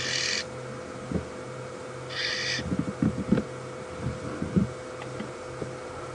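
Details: Several oxpeckers give two harsh, buzzy hissing calls about two seconds apart while feeding on a close zebra during an afternoon game drive at Djuma Game Reserve on 3 June 2015, over engine hum, thumps and clicks.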